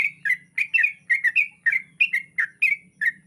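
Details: Dawn song of a sooty-headed bulbul fed on dried rice: quick, bright, slurred chirps, each bending down then up, come in a lively string several times per second over a faint low hum.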